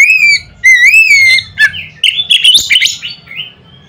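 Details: White-rumped shama singing loudly to provoke other shamas: clear wavering whistled notes opening the phrase, then a rapid jumble of chattering, sliding and buzzy notes, loud and near.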